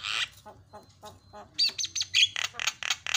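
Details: Javan myna (jalak kebo) song for training other mynas, with 'isian' fill phrases: low croaking notes at first, then loud harsh squawks and quick chattering with bright whistled inflections.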